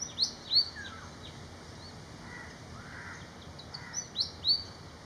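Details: High, thin whistled notes from a Malaysian pied fantail, given in quick pairs at the start and again near the end, with soft lower breathy sounds between the phrases.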